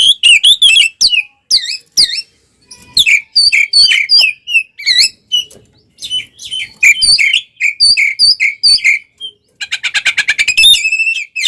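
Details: Oriental magpie-robin singing in a combative state with spread tail, used to provoke others: dense runs of sweet whistled and slurred notes repeated quickly in phrases, closing with a fast even trill of rapid notes.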